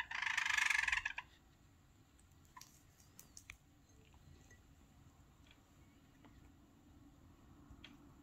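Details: A pet white Java sparrow, seemingly expecting a dekopon treat, gives a loud, dense burst of chirping chatter lasting about a second, on 7 March 2022. Faint ticks and clicks follow in a quiet room.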